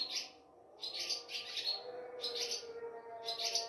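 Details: Ababil (swallow) heard from a home at Sehri time, before dawn under moonlight: repeated short bursts of shrill, rapid chirps, about four clusters, with a droning Azan underneath, captured on a mobile phone.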